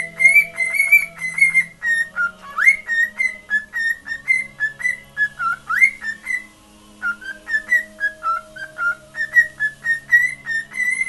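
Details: A male pet cockatiel whistles his own made-up song, a run of clear, bright notes with quick upward slides, phrase after phrase, with a radio in the background.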